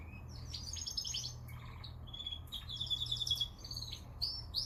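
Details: Canary song of quick high trills and chattering notes, louder toward the middle, over constant low rumbling noise.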